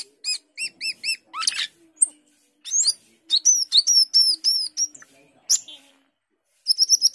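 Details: Chattering 'gacor teler' song of an Asian glossy starling, a species described as a skilled imitator of other birds. It mixes repeated arched chirps, a loud rising screech, a string of bright whistled notes and a final quick burst of chirps.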